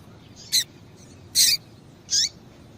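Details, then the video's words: Calls of a female Double-collared Seedeater meant to excite males: three brief, high, bright notes about three-quarters of a second apart, the last with a falling tail. "Piado de Fêmea de Coleiro Com Piado de Fêmea de Coleiro Quente para Esquentar Coleiro tui tui"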